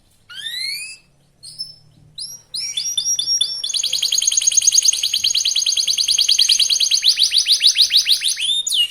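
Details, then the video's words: Young local canary singing fast as a lure to prompt rival birds to sing: a few rising whistled sweeps separated by pauses, then a long, rapid, rolling trill of repeated rising notes. "Kenari muda gacor pancingan kenari lokal super cepat bikin lawan bunyi"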